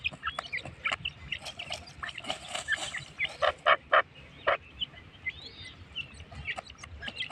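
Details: Partridge (teetar) giving loud, harsh, stacked calls in a short burst of four or five notes near the middle, over a steady background of many thin, high chirps from other birds.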